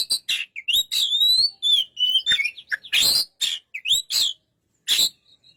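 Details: White-rumped shama song of whistled upslurs and downslurs alternating with loud harsh bursts, phrases separated by short gaps.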